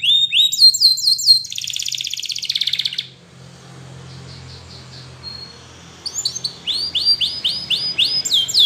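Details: Spanish Timbrado canary training song opens with quick downslurred notes and a buzzy rattle, falls quiet for about three seconds, then resumes with a rapid series of high clipped notes.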